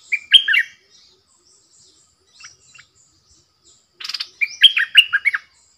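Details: Caged decoy bulbul luring wild birds, which came in three times. Two bursts of rich, chattering, warbled phrases are separated by a few faint notes, with a brief rattling noise just before the second burst.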